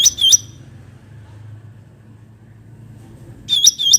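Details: Bulbul in natural surroundings: a quick burst of sharp, high chirps with a bent, whistled note, then a long quiet stretch with low background hum, and a second matching burst at the end.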